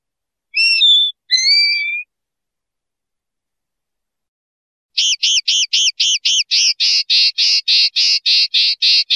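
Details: Common linnet: two drawn-out whistled phrases, a pause, then a rapid string of sharp, hooked notes giving way to broader buzzy notes, repeated steadily.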